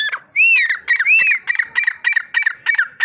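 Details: Teetar (partridge) calling: loud arched whistled notes, then a rapid series of sharp repeated notes about three times a second, each with a bright whistled core and a rasping edge.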